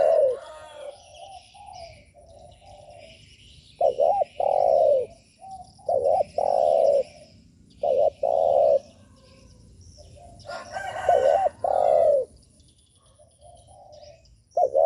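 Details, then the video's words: Repeated provoking coos of a spotted dove, used to stir up other doves: several loud phrases of short wavering notes leading into long, deep coos, spaced by quiet gaps with faint distant cooing. "Chim cu gáy gù mở lên kích bổi cực hay | Tiếng chim cu gáy mp4 kich bổi | suara burung terkukur"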